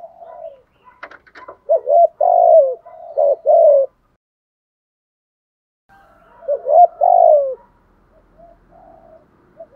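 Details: Spotted dove lure bird cooing 'thúc gù': bursts of rapid low hoots with faint chirps, a silent gap, then another short run of deep coos.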